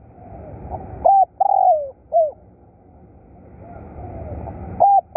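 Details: Low hollow cooing of a decoy spotted dove: a clipped note, a long downslurred coo and another short note, faint answering coos in the background, then a final loud note.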